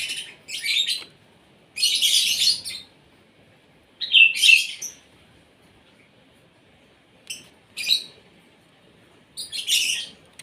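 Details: During breakfast feeding, an Asian pied starling gives separate bursts of harsh, rasping, squeaky chatter, about six phrases spaced a second or two apart, with quiet gaps between.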